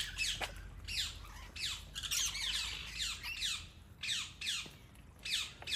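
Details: Rainbow lorikeet (Trichoglossus moluccanus) in Palmerston North, New Zealand, giving harsh, rasping, high, grating screeches in quick bursts about every half second to a second, with a faint steady hiss behind.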